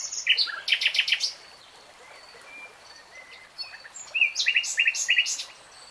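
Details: Nightingale song phrases: a short upslurred note and a rapid trill of repeated bright notes, a pause with soft whistles, then a rising note leading into a chain of quick, evenly spaced chirps.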